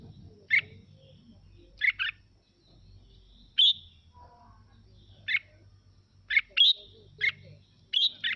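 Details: Untrained red-whiskered bulbul singing, used as playback to rouse other birds into singing along: short, bright, chirpy bursts about one to two seconds apart, some paired or tripled, over a soft low background rumble.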